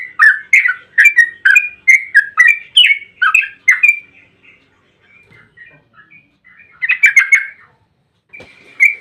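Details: Yellow-vented bulbul pouring out a long rolling 'ropel panjang' phrase as bait for others of its kind: fast liquid chirps for four seconds, a stretch of faint soft notes, then another short bubbly burst.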